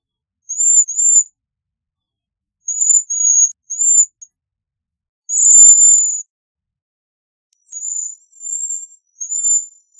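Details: Bohemian waxwing singing and calling: thin, very high, buzzy trills in short bursts every second or two, one louder and longer, against an otherwise quiet background.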